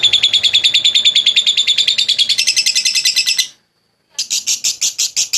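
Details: Long clear lovebird ngekek used to coax other lovebirds: very regular shrill pulsed chattering about three per second, rising slightly in pitch, broken by a half-second silence before resuming.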